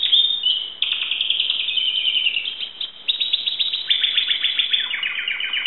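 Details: A pet canary, which its owner calls a Timbrado, sings a continuous high song of rapid trills and rolling tours, shifting every second or so between buzzy rattles and clearer chirped phrases; finding: Belgian canary.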